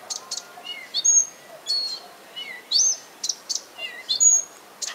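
A common nightingale sings rich, varied phrases of clear whistles, sharp chirps and buzzy notes, each burst about a second long with short pauses between, over a faint outdoor hush.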